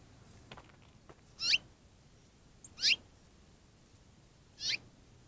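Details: House finch at a partly frozen backyard pond on a cold January 27, 2023 morning, calling loudly as if complaining about the ice: three sharp chirped notes about 1.5 seconds apart, with faint rustling between.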